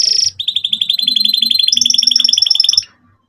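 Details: Canary singing a lively lure song for young canaries learning to sing: a fast, even trill of rapidly repeated piping notes lasting over two seconds. A higher second trill line joins partway through, and the song stops abruptly.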